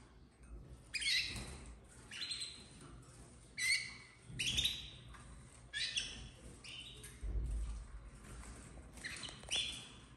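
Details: Domestic canary chicks, red snowy (nevado) colour, bred in captivity in 2024, giving harsh raspy chirps in short bursts about once a second, several overlapping, with low thumps and handling noise beneath.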